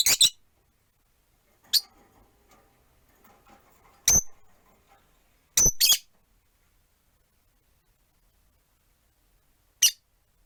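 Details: Rosy-faced lovebirds, four kept in a cage by a window: sparse, isolated shrill chirps and a harsh double squawk, widely spaced, with a faint murmur of background noise in between.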